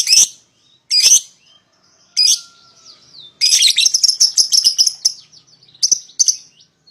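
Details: Paud lovebird pair, meant to draw a rival into song: a few separate raspy squawks, then a long fast chattering run of high, scratchy notes, ending with two more squawks.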